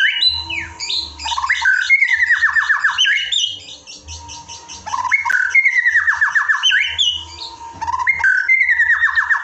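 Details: Loud murai (white-rumped shama) song from an Indonesian masteran recording for training birds: bursts of rich descending slurred notes repeated in rapid cascades, with a short quieter pause between phrases.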